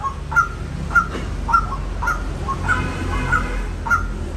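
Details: Calling white-breasted waterhen: a steady series of clipped, mid-pitched notes at roughly 0.6-second intervals, with a noticeable low rumble underneath.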